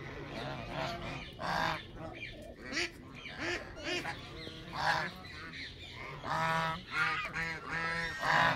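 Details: A flock of Canada geese honking continuously, harsh nasal calls overlapping in irregular waves that swell and fade over about eight seconds.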